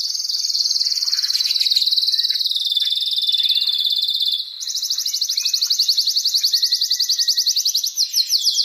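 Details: Excited male canary song played to stimulate mating and nesting: a steady fast trill held at one pitch for about four seconds, then switching to a quicker, higher rolling trill that runs to the end.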